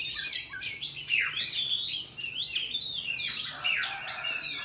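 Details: Wild forest song of an Oriental magpie-robin, used to train young birds: bright, tumbling phrases of high whistled slurs and squeaky twitters, rising and falling, delivered without pause in a small room.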